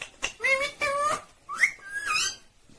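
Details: Indian ringneck parrot talking in short voice-like phrases. Two steady, harmonic syllables are followed by a rising, whistled slur and a longer nasal phrase that ends on a higher note.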